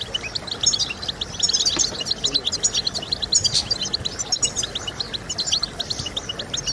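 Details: European goldfinch song to prompt goldfinches to sing, loud and rapid, with sharp chirps, liquid twitters and brief buzzy notes tumbling together in a near-continuous chatter.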